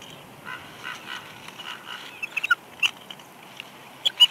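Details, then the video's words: Female bald eagle on her nest at Big Bear Lake, California, on 6 March 2021, whining softly as her mate brings a headless fish during incubation; thin, reedy whines come in short repeated bursts, then sharper squeaky notes toward the end. "Jackie Whines Softly As Shadow Brings Headless Fish"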